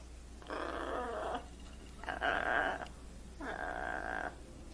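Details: Well-trained blue-and-gold macaw greeting and imitating crying. Three drawn-out, harsh, voice-like wails of about a second each come at short intervals.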